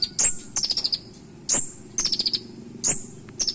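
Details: High, shrill chirps from a Van Hasselt's sunbird (kolibri ninja), alternating with rapid clicking trills in a sharp 'isian' song with 'nembak' notes. A soft low hum runs beneath.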